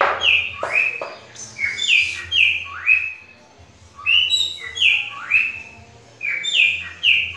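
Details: Pet cockatiel copying the song of a green-winged saltator: loud, clear whistled phrases of rising and falling slurs, given in bursts with short pauses, over a low steady hum.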